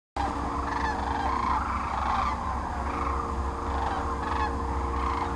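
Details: A large flock of sandhill cranes at their spring migration stopover on the Platte River, central Nebraska, mid-March 2009, keeps up a steady chorus of overlapping, rolling, trumpeting calls over a low rumble of wind or distant engine.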